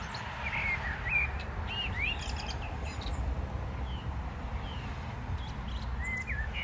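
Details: Wild birds singing on a morning, 14 June 2022: scattered thin, high chirps and short rising whistles at intervals over steady low rumbling background noise.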